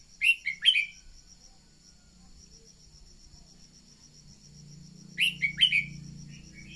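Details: Red-whiskered bulbul decoy song meant to spur birds to sing, two short phrases of clear chirpy whistles, one at the start and another about five seconds later, with quiet between and a constant thin whine.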